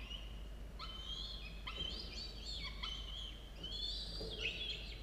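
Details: Nestling falcons, a pair of chicks 17 and 13 days old, heard on a nest camera at dawn, 27 October 2022; loud, rich, wavering squeals in quick bursts, rising then dropping, with a steady background hum.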